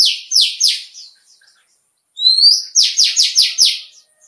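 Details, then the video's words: Indian white-eye song of the líu chòe style, played to prompt birds to sing in contests: a run of three fast downward-sweeping buzzy notes, a pause, then a high rising whistle leading into five rapid descending notes. "Vành Khuyên Chuần Giọng líu chòe, kích chim hót đấu"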